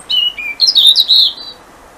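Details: European robin singing in the dark at twenty past seven in the morning on 21 December, the winter solstice, at a back door near house light, two robins present; short bright warbled phrases, a high trill then a lower note and jumbled twittering.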